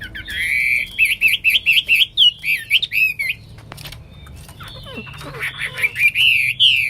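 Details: Hwamei (Wambi), singing actively: a rapid string of looping, rolling whistles, a quieter pause with faint soft notes, then strong sliding whistles that resume and grow louder.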